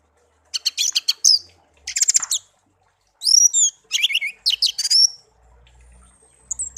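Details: Tame songbird hand-raised after being found in a garden, kept a year: dense high trilled bursts and twisting whistled phrases in three groups, ending with a faint low rumble.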